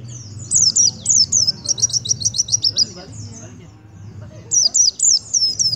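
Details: White-eye singing aggressively at a sunbird. It gives a rapid run of very high, sharp, down-slurred notes, about a dozen in quick succession. A short pause follows, then another fast burst. A low background hum continues throughout.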